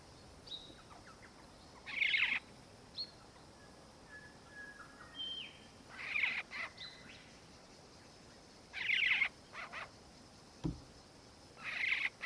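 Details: Black-faced Cuckoo-shrike (ssp. melanops) in Victoria, Australia, December 2019, giving harsh, rolling churred bursts about every three seconds, each under half a second; faint thin whistles from other birds fill the gaps.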